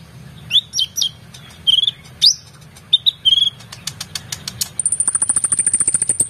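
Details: Oriental magpie-robin singing energetically, used as a tutor recording for competition birds: sharp rising whistles and chirps, then a rapid buzzy rattle of evenly repeated high notes near the end; low hum underneath.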